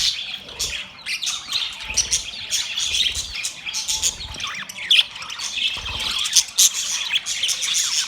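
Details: Group of budgies giving mating chatter, a busy mix of high squeaky chirps, raspy squawks and short sharp tweets that overlap continuously, with a few louder accents.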